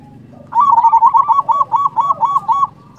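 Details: Loud local zebra dove cooing to stir rivals into answering, a steady run of about nine quick, evenly spaced rolling coo notes, clear and dominant over faint background hum.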